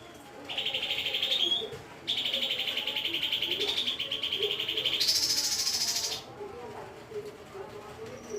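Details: Lesser green leafbird singing a roll tembak style song: a fast, rapidly pulsed trill held for over a second, then a longer rattling trill, then a higher, brighter burst, with faint low murmuring in the background.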